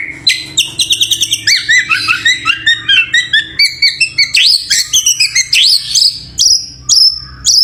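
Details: White-rumped shama, a champion songbird, pouring out a rich medley of quick whistled notes, upward-swept slurs and chattering bursts, closing with a few long clear tones.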